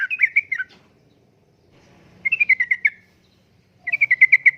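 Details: Uplik-uplik song of a sooty-headed bulbul, made to lure and tutor caged birds. Three short phrases of rapid, slightly falling, bubbly notes, each lasting under a second, separated by quiet gaps.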